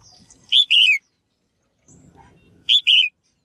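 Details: Female bird calling to stir males into active singing: two loud bursts, each a short chirp followed by a sweeping, harmonic-rich note, about two seconds apart over faint low rumble.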